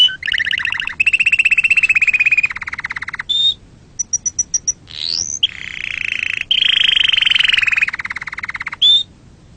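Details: Canary singing to teach young and prompt breeding: long rattling trills of rapid notes at two pitches, a short burst of high pips, a rising swoop, then another extended rolling trill.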